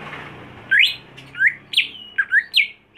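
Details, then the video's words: Lively whistled phrases from a home-kept greater green leafbird trained for contest: about six loud sweeping notes, some rising, some falling, delivered roughly every half second over a low background hum. "Membuat Cucak Hijau Mental Rumahan Jadi Garang Di Gantangan"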